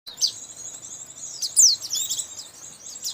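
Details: Lure sound for trapping white-eyes: high, thin, sustained twittering and sharp chirps at very high pitch, with a brighter burst of rapid piping notes midway, over a soft background hiss.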